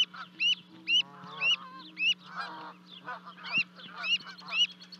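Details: Two Canada goose goslings leaping from a 30-foot-high nest to join their parents at Charlo, Montana, 12 May 2020; piercing rising peeps about twice a second, with lower goose honks between them and a low background hum.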